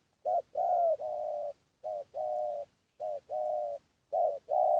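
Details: Spotted dove lure call for drawing in wild doves: four phrases of mellow cooing, each a short clipped note leading into a longer level coo, separated by clear pauses.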